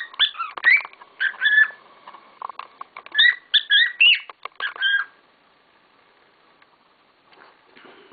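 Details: Domestic cockatiels giving rapid scratchy chirps and short rising whistles for about five seconds, mixed with clicking and rustling, then fading to near quiet.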